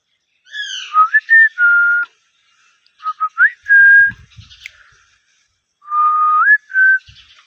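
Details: Ringneck parrot called a talking parrot, whistling a repeated tune: low held notes rising into steady higher tones, three phrases with brief gaps. A few soft thumps are heard in the middle.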